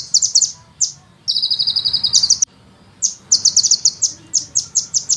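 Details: Sunbird singing fast, tightly packed song with long rolling bursts, recorded as a master for training songbirds: an even run of rapid shrill notes lasting about a second, then a pause and more high trills.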